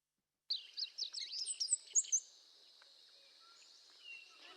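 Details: A Five-striped Sparrow, a rare, secretive bird found up a canyon in southeastern Arizona, sings one quick jumbled phrase of high, sweeping, twittering notes lasting under two seconds, followed by quiet background hiss.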